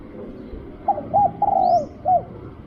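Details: Spotted dove during decoy luring, giving a clear run of mellow hoots: two short notes, a long sliding coo, then a short final hoot, with one high thin chirp from another bird.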